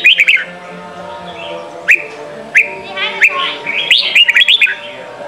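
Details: Red-whiskered bulbul in Sông Kon style song, meant for voice practice of young birds: an opening trill of chirps, single rising whistles about every second and a half, then a fast cluster of warbling notes.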